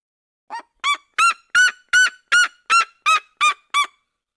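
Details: Ten loud, clean, ringing yelps from a Red-legged seriema in the Cerrado, evenly paced about three per second, rising slightly in pitch after the first note and then steady.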